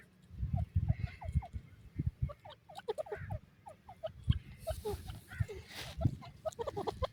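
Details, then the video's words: Buday and Irani teetar partridges calling together: a dense chatter of short, downward-slurred notes that overlap one another, with steady low rumbling underneath and a brief burst of hiss near the end. "buday teetar ki awaz,irani teetar awaz,teetar sound"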